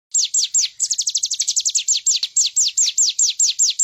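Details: Bar-winged prinia song used as a master recording for training songbirds: a loud, fast series of high, downward-slurred notes, some runs quicker and tighter, others spaced more slowly, continuing without pause.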